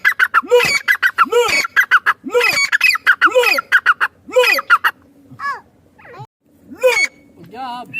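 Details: Female partridge (madi teetar) calling with loud, harsh squawks in a steady series roughly every second, then a few fainter scattered notes and a final squawk.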